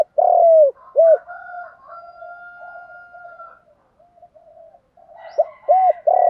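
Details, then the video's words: Lure song of a spotted dove in 'Đồng' voice to call wild doves near: a long coo and short coo open, then a lengthy steady whistled tone and twittering from other birds, before fresh short arched coos begin. "tieng cu gáy giọng Đồng thúc dục bổi nghe rất nhanh gáy và về cội nhanh"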